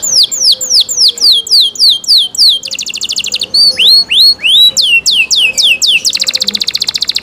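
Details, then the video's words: Cenkok canary song with a run of steep falling whistled notes repeated about three per second, a fast buzzy trill, more swooping whistles, and a closing dense rolling trill. "LUXURY CENKOK CANARI SOUND, CLEAR SOUND"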